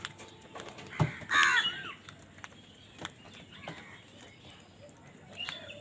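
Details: Crow squabbling with wild birds over food gives a single rasping caw early on against steady background noise, followed by scattered faint chirps and clicks.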